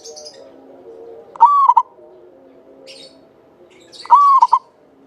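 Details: Local Javanese zebra dove, a lively singer kept as a lure bird, with a long clear voice. It gives two phrases, each a long level coo then two short notes, while faint high chirps from another bird occur between them.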